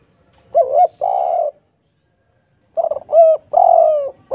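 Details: Vigorous spotted dove song played to coax other doves into answering: a wobbling coo and a sustained hoot, a long gap, then a stuttered opening with two more drawn-out falling coos.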